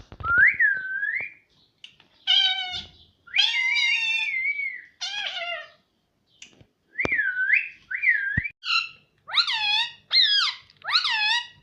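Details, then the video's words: Pet talking parrot, said to say "Mummy" and "Mitthu", indoors; upslurred whistles and loud, strained, speech-like syllables, ending in a rapid run of rising-falling calls with a few clicks between. "Talking parrot - Mummy Mummy Bolne Wala Tota - bolne wala tota - Mitthu mitthu."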